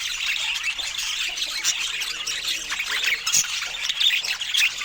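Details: Pet budgerigars during fruit time: a dense, continuous warbling chatter of overlapping high chirps and squawks, with scratchy notes layered throughout and a sharp click near the end.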